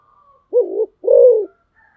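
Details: Decoy spotted dove cooing: two low, hollow coos in quick succession, the first dipping in the middle and the second longer and even, in an otherwise quiet setting.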